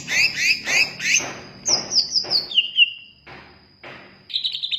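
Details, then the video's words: Greater green leafbird singing a lively, varied phrase: repeated bright chirped notes in quick pairs, then a run of descending whistled slurs and a sustained high tone, ending in rapid twittering notes. "BURUNG CUCAK IJO"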